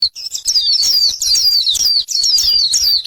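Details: Purple sunbird giving a fast, continuous twitter of high, thin down-slurred notes, tumbling over one another with only brief breaks and no other clear sounds.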